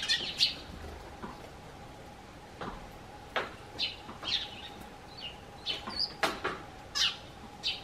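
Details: Several Eurasian tree sparrows hop onto a garden bench as a man steps out of the house, calling to him in greeting; high chirps are spaced irregularly, some in quick pairs, over a faint hum and light clicks.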